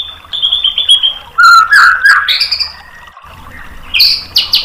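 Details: White-rumped shama tutor song to provoke replying: a high pulsed trill, then lower slurred whistles and chattering, a quiet gap, and sharp high notes to finish.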